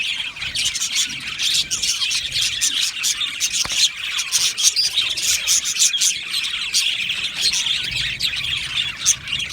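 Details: Budgerigars in an aviary colony, a dense continuous chorus of chirps, squawks and warbling chatter from many birds at once, steady throughout with frequent sharp clicks.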